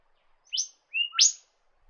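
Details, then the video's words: Norfolk Island golden whistler, a subspecies of the golden whistler found on Norfolk Island, giving two bright, fast downslurred whistled notes, the second preceded by a short level whistle, in quiet surroundings. "Norfolk Is Golden Whistler"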